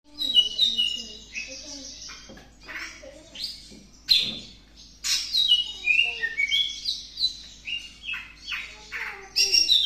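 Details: Greater green leafbird still wanting to mate, in breeding condition, giving a rich, varied song of bright whistled phrases, chirps and quick trills, some notes sliding up or down, in near-continuous bursts with short pauses.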